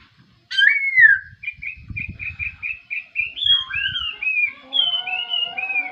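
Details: In the morning a laughingthrush gives a loud downslurred whistle, then a rapid series of about nine short repeated notes, then ringing, falling whistled phrases. Faint low thumps are heard.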